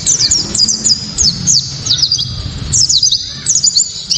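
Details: Japanese white-eye song, loud and piercing, meant to spur other white-eyes into singing: quick series of very high slurred chirps in short bursts separated by brief gaps, over faint low rumble.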